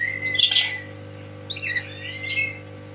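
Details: Tame lory calling loudly with a raspy squawk followed by two shorter whistled and buzzy phrases, roughly one each second, above a steady background hum.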